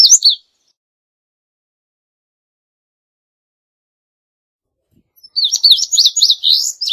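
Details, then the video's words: Indigo Bunting song: high, sweet, quick paired notes at a lively pace, with a brief phrase at the start and a longer run after a silent gap. "Indigo Bunting Song"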